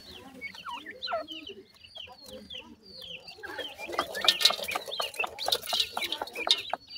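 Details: Grey francolin (teetar) chicks of a kept family feeding, with a steady stream of high, thin downward-slurred peeps, then clattering, scratchy noise of movement and pecking underneath continued peeping.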